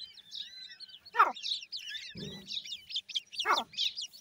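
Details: Grey francolin (teetar) chicks giving a run of high, thin, rapid chirps. Two louder descending notes stand out, along with a brief low rough burst in the middle.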